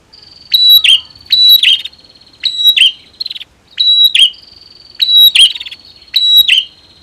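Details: Prinias, female and male, calling against each other to rouse singing: loud high rattling trills with bright chirps, seven bursts at roughly one-second intervals, otherwise quiet.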